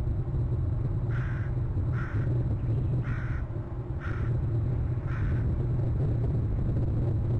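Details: Male bald eagle calls while a merlin buzzes past: five brief, strained call notes repeated about once a second, partly masked by constant deep rumbling background noise.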